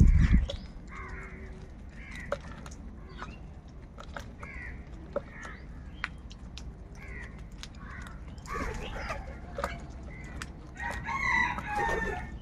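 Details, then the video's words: Crows squabbling over food: short hoarse caws repeated roughly every second, fairly distant, becoming louder and more crowded toward the end, over constant low background noise. "Crow bird Fight for Food | Crow birds loudly Crowing sounds"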